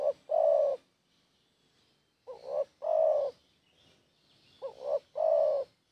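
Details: A spotted dove recorded for use as a lure call gives soft, low cooing phrases, two short notes then a longer drawn-out coo, repeated about every two seconds, with a faint high hiss behind.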